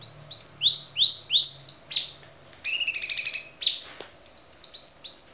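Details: Cucak cungkok song from a clear-voiced tutor recording for songbird training: a run of repeated rising whistled upslurs, a falling note, a rapid buzzy trill, then more rising whistles.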